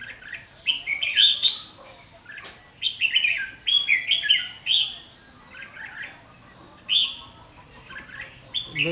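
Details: Decoy Red-whiskered bulbul at a fighting trap, 7 July 2016, singing its fighting song: bursts of bright warbled and whistled phrases, each lasting about a second, separated by short pauses, some quieter notes between.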